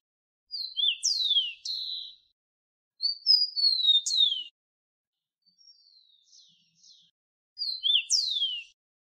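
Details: Rufous-collared sparrow (copetón, Zonotrichia capensis), common in Bogotá and Andean cities of Colombia, singing clear high whistles then a sharply falling slurred note, the phrase repeated three times a few seconds apart, with faint chips between.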